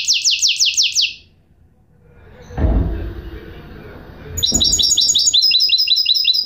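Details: Goldfinch mule singing a rapid series of high, downward-sweeping notes, a pause broken by a dull thump, then the quick repeated notes resume in a fast trill-like run.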